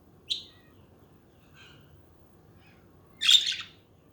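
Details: Budgies calling: a sharp single chirp, a faint soft warble, then a louder harsh, buzzy squawk near the end, with low room hum beneath.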